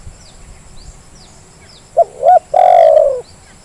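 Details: Spotted dove used as a lure to make idle doves call: after a quiet stretch with faint high chirps of small birds, one phrase of two short hooked notes and a long drawn, slightly falling coo.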